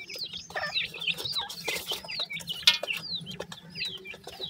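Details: Grey francolin chicks calling: many high, thin peeps sweeping downward, overlapping in a busy rapid chatter, with a low steady hum underneath.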